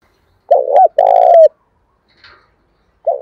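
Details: Spotted dove used as a decoy, cooing to lure wild doves: two low, rounded coo phrases in quick succession, a faint chirp after a pause, then a new coo beginning.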